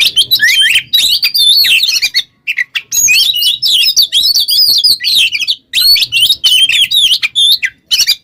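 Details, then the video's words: Oriental magpie-robin in full, lively song, used as a training model for other songbirds: dense runs of loud whistled and sweeping notes between 2 and 8k, slurred up and down, broken by short pauses near two and six seconds. "GACOR burung KACER ngobra teler cocok buat pancingan MASTERAN"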